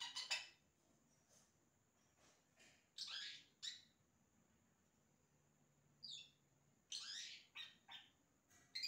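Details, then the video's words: Yellow-rumped cacique giving imitations: sparse sharp clicks and harsh raspy bursts separated by pauses, one brief descending whistle, and a final cluster of noisy notes. "Xexéu Cantando imitações"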